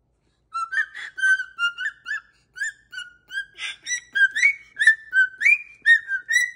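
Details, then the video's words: Dancing pet cockatoo keeps up its whistled song, a long busy series of short rising and falling whistles, some notes sliding upward, growing denser toward the end. "What a Happy Little Tune!"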